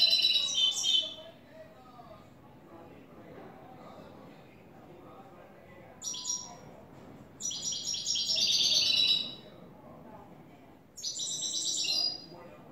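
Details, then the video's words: A new European goldfinch sings clean song styled "el tres vueltas", with several bursts of quick, high, liquid twittering separated by quiet gaps; the longest phrase runs about two seconds near the middle. "Jilguero a cante limpio " el tres vueltas""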